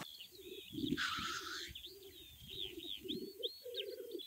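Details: Male black grouse displaying at a spring lek in Perthshire, Scottish Highlands, early morning: a low, dove-like bubbling rookoo rolls on continuously, broken by a harsh hissing sneeze, with thin whistles of other birds above.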